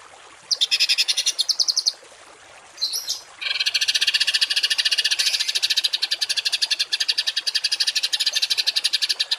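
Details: Songbird in a masteran recording of harsh 'tembakan kasar' notes for training cage birds: a few short high rattles, then a long, steady run of fast, harsh, clipped notes that repeat quickly and evenly.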